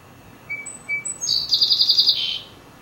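A Song Sparrow sings two clear, separate whistled notes, then a quick, buzzy, high trill that drops slightly at the end.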